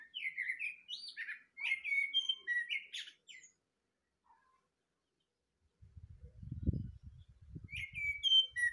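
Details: A thrush singing at the start of the day. Varied whistled phrases tumble quickly for about three seconds. A long silence follows, then low thumping noises and a fresh burst of song near the end.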